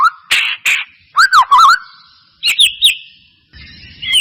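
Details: White-rumped shama whistles played as a lure to trigger song: short bursts of two or three looping whistled notes, separated by pauses, echoing afterward.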